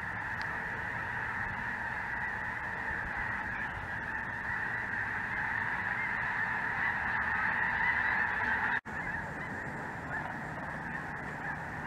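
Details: Dense chorus of Snow Geese mixed with Greater White-fronted Geese and possibly Ross's Geese, filling the sky over southern Indiana on a chilly January afternoon; constant overlapping honks and yelps in a steady band, with a brief dropout near nine seconds.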